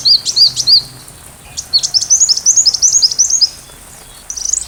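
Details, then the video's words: Sunbird song played to teach a white-rumped shama: three bright, high looping notes, then a rapid chattering string of high twittering slurs. A brief thin trill ends the passage. "Masteran Rajanya Isian Kolibri"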